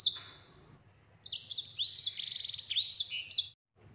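A yellow-fronted canary sings a high, lively burst of slurred whistles and fast rolling trills lasting about two seconds, after one thin opening note; a faint low hum underneath.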